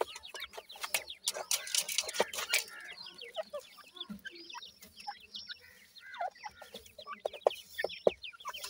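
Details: A group of dakhni teetar (francolin) chicks peeping constantly in high, thin, downward-sliding notes, many voices overlapping, with a few sharp clicks and knocks early on.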